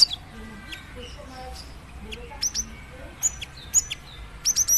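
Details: Female cinereous tit calling a male with scattered thin high chirps that become more frequent toward the end, closing in a quick burst of three piercing notes; faint low murmuring beneath.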